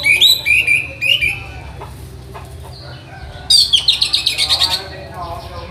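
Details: Song of an orange-headed thrush (anis merah) from a tutor recording for training birds: an early pair of whistled phrases, a quiet gap, then a rapid, high, buzzy run of repeated notes.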